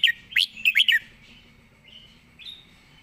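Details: Red-whiskered bulbul in fast-beak style: an opening run of five quick, clear, bouncing whistles at the start, followed by soft, faint, drawn-out notes fading into quiet.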